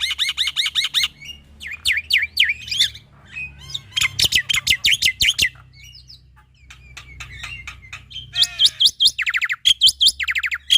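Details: Male black-winged myna singing a full varied repertoire to train young starlings: fast trills, repeated swooping whistles, scratchy clicks and buzzy bursts, shifting every second or two.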